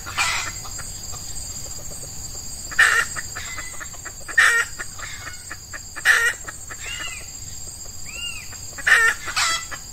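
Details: Wild red junglefowl drawn to a captive F1 hen decoy in early morning during Ramadan, males in breeding season, hot weather; short harsh bursts about every two seconds with soft clucks between and insects droning throughout.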